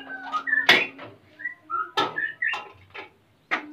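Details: A captive male white-rumped shama in Salaman, Magelang, Central Java, eager to mate as the female nests. Short whistled phrases are interrupted by several loud sharp knocks, with a low hum underneath.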